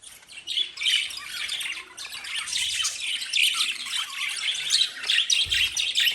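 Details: Lovebirds kept as pets, chirping nonstop: a dense, overlapping chatter of high, shrill squeaks and tweets with no real pauses, rising and falling in loudness throughout.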